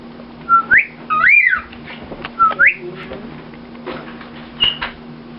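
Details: A male cockatiel whistles a song taught by his owner, taking turns with them despite distractions, in clear, sliding notes that swoop upward in short repeated phrases.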